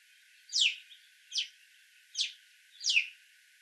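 An Alpine chough gives four shrill, downward-sweeping whistled calls, one roughly every 0.8 seconds, over faint background noise.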